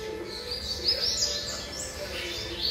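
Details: Seven-month-old young double-collared seedeater (coleiro) singing; thin, fast whistled and twittering notes high in pitch, running in quick succession over a steady low background hum.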